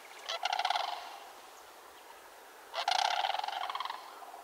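Two loud, rolling, trumpeting rattles from a Sandhill Crane, each about a second long and separated by a short quiet gap.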